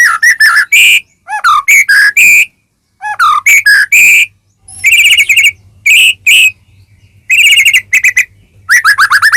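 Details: Caged white-rumped shama song used as provocation: busy mix of clear whistles, swooping notes and quick rattles in tight phrases with brief gaps.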